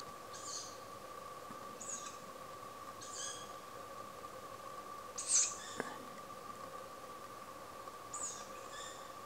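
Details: A young tawny owl that has just learned to fly, in a home garden on 1 July 2016, calls to its parents for food with short, wheezy, hissing begging calls every one to two seconds over a low mechanical hum, one sharp click.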